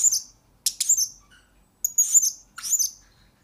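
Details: Blue-crowned hanging parrot, a lure bird recorded to tutor other birds, uttering four separate bursts of shrill, very high squeaky chirps, each followed by a short silence.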